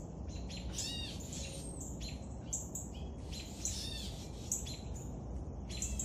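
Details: Young woodpecker begging while fed, loud high rising-falling chirps in fast clusters separated by short gaps, with low droning background noise throughout.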